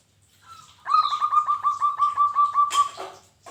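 A zebra dove gives a fast rolling coo of about ten soft, hollow notes in under two seconds, followed by a brief noisy rustle.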